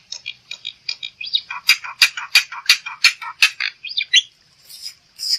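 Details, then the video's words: Black-winged myna song used as a lure to get birds singing: a dense series of harsh, scratchy broadband notes repeated roughly three times a second, mixed with short squeaky whistles, briefly pausing before the final notes. "Suara Burung Jalak Putih"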